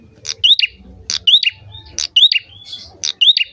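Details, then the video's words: Prinia in vigorous song, used to prompt singing in other birds, gives four quick phrases, each a high sharp note, an upslurred whistle and a brief buzzy ending, with soft low background noise. "prenjak gacor cocok buat pancingan burung"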